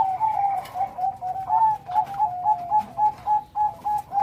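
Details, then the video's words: Zebra dove, a Bangkok-type perkutut kept as a singing bird, giving loud, full-rhythm cooing: a fast string of short, level, mellow coo notes, about three to four per second, with even pulses throughout. "Burung perkutut bangkok gacor.Suara besar. Irama lengkap."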